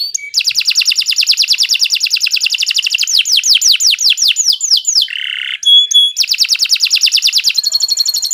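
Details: Sharp, long canary song for training future champion birds: extended fast trill of repeated high notes, then descending whistled sweeps, a buzzy note, clear metallic pips, and another rapid trill, nearly continuous.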